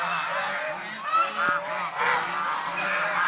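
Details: Short burst of a domestic swan goose flock, Chinese swan goose, during playing and fighting: layered reedy honks run continuously, with a brief sharp click or knock in the middle.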